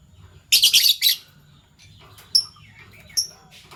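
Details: Morning chirping from pet Fischer's lovebirds, violet and gold opaline euwing mutations: a harsh, buzzy cluster of shrill notes, then two isolated sharp high chirps over a quiet background.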